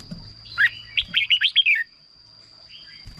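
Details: Red-whiskered bulbul singing, a recording meant to excite birds or lure them as a decoy: one fast phrase of six or seven liquid, warbling whistled notes lasting about a second, then quiet.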